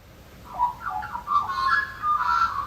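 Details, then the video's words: An Australian Magpie, likely a territorial male, sings at 1–2 a.m. during nesting season at a house in Canberra: rich, fluty, warbling notes that slide and waver for nearly three seconds over a faint low hum. "And I opened the front door and I went out and it was magpies calling in the middle of the night, 1, 2 a.m. in the morning."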